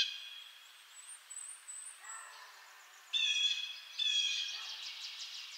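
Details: Blue jay giving two harsh, buzzy calls about a second apart after a quieter stretch of soft, high, thin bird notes and light background hiss.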